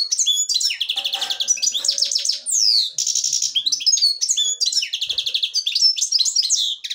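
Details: Continuous lively song from a black-headed goldfinch, Devonshire style, with rapid twitters, buzzy rattles and a sweeping downslurred whistle, delivered almost without pause.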